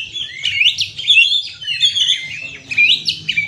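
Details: Kacer (Oriental magpie-robin) lure song for stressed birds: a continuous flow of warbled high whistles and slurs over a noticeable low hum.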